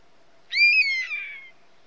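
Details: European honey buzzard giving a single plaintive whistled call about one second long, a clear high note held briefly then sliding gently downward, with rich overtones, against an otherwise quiet background.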